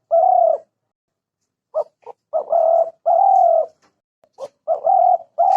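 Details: Spotted dove gives soft, low, hollow coos: a drawn-out coo, then a couple of short clipped notes leading into longer throaty coos, repeated twice.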